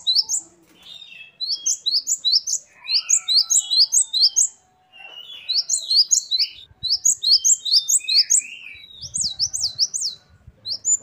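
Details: Singing great tit (gelatik batu) in a busy, varied style. Fast runs of high, sharp chirps are mixed with lower slurred whistles and brief silences, and scattered clicks sound partway through.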